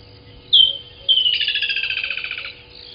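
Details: Woodland kingfisher singing at 05:29 in the morning on 18 December 2020 at Gowrie dam waterhole, Djuma Game Reserve, Sabi Sand Wildtuin, South Africa, picked up by a live camera: one sharp high note, then a whistle running into a long descending rattling trill.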